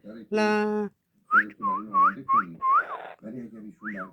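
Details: Yellow-headed amazon talking indoors: a long steady buzzy note, a short pause, then a run of quick whistled upslurs and rising-falling loops over low speech-like babble, with faint music.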